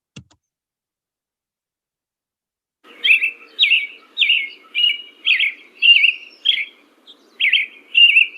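An American Robin sings a steady run of about nine short, whistled, caroling phrases, 'cheery up, cheerio', each under a second, after a brief quiet start.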